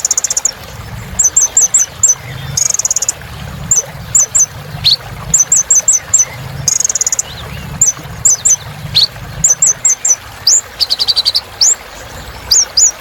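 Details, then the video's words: A purple-throated sunbird sings at length. Groups of tinkling high notes and short buzzy trills alternate with sharp rising whistles. "Kolibri Ninja Gacor Untuk Terapi Burung Macet Bunyi"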